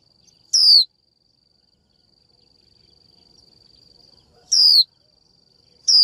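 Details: A female Japanese white-eye calls a male with sharp, descending 'chiu' notes, three in six seconds, widely spaced, against a constant thin high-pitched hum.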